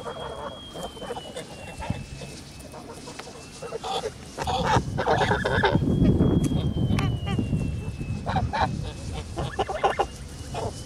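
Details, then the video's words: Kholmogory geese on a farm, 10 August 2017, giving a mix of honks, quieter at first, then a loud, dense burst of harsh honking around the middle that fades into scattered calls. "Kholmogory geese in Forest Well Olympus farm."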